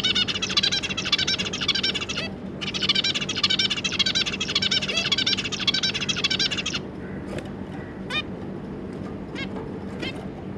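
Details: Zebra finches with their three juvenile young, 25 July 2022: long runs of rapid, buzzy, rattling chatter lasting several seconds with a brief pause, followed by a few thin separate calls, over low hum.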